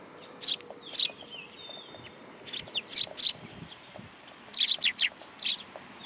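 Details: At a Tenmangu shrine on 10 July 2022, sparrows assembling to be fed give loud, clipped chirps in small clusters, with faint thin whistles and quiet background noise between bursts.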